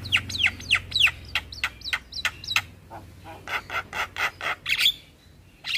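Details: Chattering Javan myna in a recording made with other starlings to tutor birds: a fast jumble of squeaky descending whistles, then a run of harsh rasping notes at about three per second.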